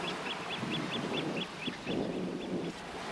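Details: A flock of Eurasian oystercatchers staying on a coast in the Hokusei region of Mie, Japan, under calm blue skies; sharp high piping notes repeated rapidly in a steady series, with low surf and wind rumble underneath.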